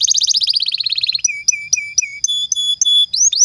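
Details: Captive canary singing a long, energetic song: a fast rattling trill of rapid notes descending slightly, then a series of clear short whistled notes repeated about every quarter second, ending in rising upslurred whistles.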